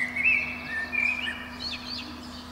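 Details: A Eurasian blackbird sings in spring at dawn from the top of a pine beneath a window. Soft fluted notes waver and fade into a quieter twittering ending, with a steady low hum.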